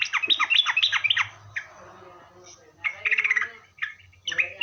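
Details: Sooty-headed bulbul singing as a lure for other bulbuls: a rush of quick descending chirps, a quiet gap, then further chirpy bursts with harsher squawk-like notes.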